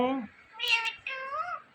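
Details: Talking Indian ringneck parrot gives three nasal, strongly harmonic word-like sounds, the last one wavering and meow-like, in a quiet room.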